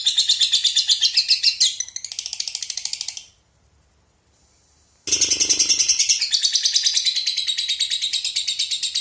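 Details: Konslet-style lovebird song with walang (grasshopper) fill: dense, shrill, pulsing chatter that softens and then stops for about two seconds before resuming with a short burst of lower noise, then carries on rapid and buzzy.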